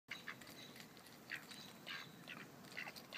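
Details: Female Mallard duck quacking while eating crackers as the male stands by, far less talkative; short, quiet nasal quacks come in scattered bursts over steady background hiss.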